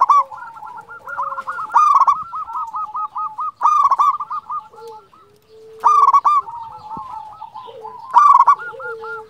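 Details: Zebra doves from local stock calling actively: loud burry rolling phrases roughly every two seconds, each trailing into a chain of bubbling coos, with lower drawn-out notes between.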